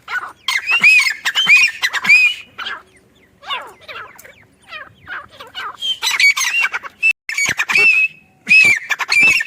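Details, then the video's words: A grey francolin, described as female, in a mango farm gives harsh, shrill, arched calls in quick uneven bursts, roughly one or two notes a second, with short pauses between phrases. "Teetar awaz | teetar voice | Grey francolin teetar sound | female teetar awaz"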